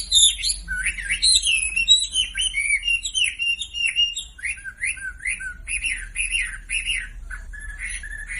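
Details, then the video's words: Song of a Sumatran leafbird played as a lure for silent birds: a busy, chattering run of varied notes that settles into repeated, evenly spaced downward-slurred whistles, with very high thin notes above. "SUARA MASTERAN WAMBI UNTUK YANG DIAM IKUT KICAU"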